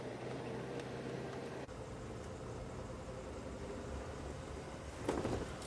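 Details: A vehicle engine idles steadily at low volume during a sunrise safari drive, with a brief rustling burst near the end and no animal voices.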